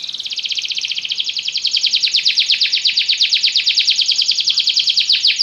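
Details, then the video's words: Yellow Belgian canary song: a long, dense rolling trill of quick repeated notes, building in loudness and turning into downward sweeps near the end. "canário belga amarelo se destacando no canto"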